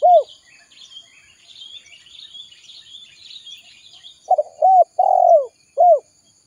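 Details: Spotted dove used as a trapping lure, with faint high twittering from other birds in the background. Near the end comes a phrase of three quick hooked coos and a long purring coo, then a single final coo.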